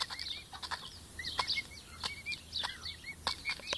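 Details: Five-week-old pet emu chicks peeping steadily: many brief, high, rising-and-falling whistles overlapping at a busy pace, punctuated by crisp clicks and taps.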